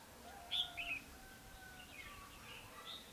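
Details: Red-whiskered bulbul recorded while trapping on 21 December 2015 gives two or three sharp, loud chirping notes near the start, then softer, fainter warbled notes trailing off over a low, quiet hum.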